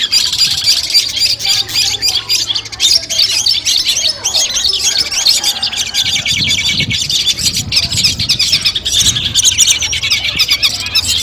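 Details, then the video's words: Long-tailed shrike song collection used as training audio before a competition: a dense, continuous stream of high, rapid chattering and twittering notes without pause. "masteran kumpulan suara cendet tes mental sebelum lomba"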